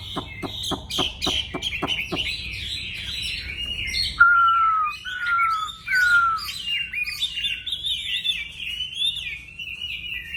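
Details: Wambi songbird singing: a run of sharp clicking notes, then three clear falling whistles, followed by rapid twittering and chattering phrases with a steady low hum underneath.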